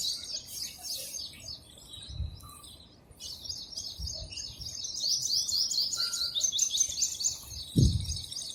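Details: Sparrows eating food and chirping: a steady stream of thin, high, rapid chirps and twitters, louder in the second half, with occasional soft low knocks and one sharp thud near the end.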